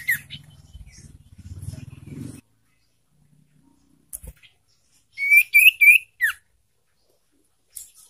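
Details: Song of a young caged sirtu, played to spur silent sirtu to sing: low rustling at first, then a quick cluster of four bright upslurred chirps and a final downward note.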